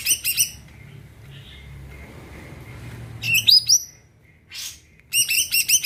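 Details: Greater green leafbird singing to prompt other birds to sing. Short bursts of sharp whistled notes and a rising slurred phrase come between pauses, with faint background hiss.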